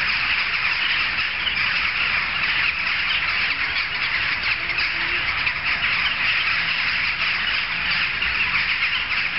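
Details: Many jackdaws calling at once, audible from streets away; a dense, harsh chatter of short squawking notes continues throughout without a break.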